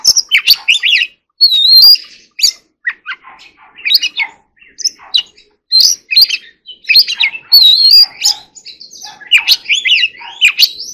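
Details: Oriental magpie-robin, in training, delivering its forest-voice song. Short bursts of clear whistles and buzzy chatter alternate with pauses, several phrases ending in a high bright whistle.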